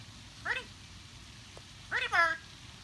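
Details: Talking blue-and-gold macaw on a Saturday early morning gives two voice-like utterances, a short rising-falling one then a longer two-part phrase, each nasal and meow-like, over quiet background hum.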